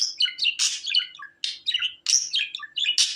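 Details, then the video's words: Budgerigar chatter, dense and rapid, mixing harsh buzzy bursts with squeaky whistled notes and clicks, nearly unbroken for three seconds, with a faint hum in the background. "Muhabbet kuşu sesi"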